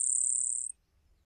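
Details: Grasshopper sparrow, a grassland bird, singing a thin, very high, insect-like buzz held steady for under a second, then stopping; its buzzy song carries over distance and wind.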